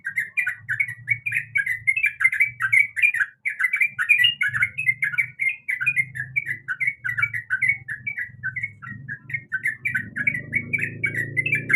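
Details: Breeding female sooty-headed bulbul calling for a male, a steady stream of rapid chirpy, warbling notes with a soft low hum beneath that swells louder near the end.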